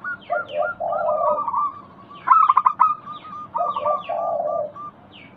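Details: Song of a local zebra dove, used to spur silent doves to call: low grating purrs mixed with quick repeated coo notes, a loud staccato burst midway, then another purr and cooing sequence.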